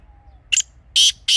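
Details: Grey francolin calling for hunting purposes: a short grating note, then two louder rasping notes, cut off at the end, against a quiet background.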